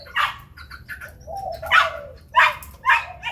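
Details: White Chinese hwamei singing competitively with wings spread: harsh, rich, explosive phrases in quick bursts, broken by a lower, sliding, warbled note in the middle.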